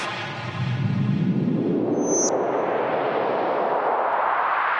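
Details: A rising whooshing sweep of noise with a brief high ringing tone, and no animal sounds.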